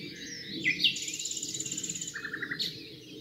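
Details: Common nightingale song from the Rawka river valley near Doleck, Poland: a sharp upslurred whistle, then a long fast buzzy trill lasting over a second, a short series of repeated clipped notes, and a low steady background hum.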